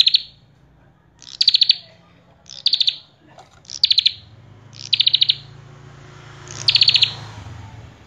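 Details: Common tailorbird singing energetically, delivering short bursts of three to five piercing high chips roughly every second or so, each phrase crisp and evenly spaced, with a low steady background hum.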